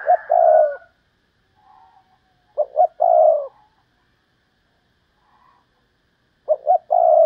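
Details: Decoy spotted dove, praised as one singer in thirty, repeats its cooing phrase three times: a pair of quick soft notes leading into a drawn-out rolling coo, with pauses between.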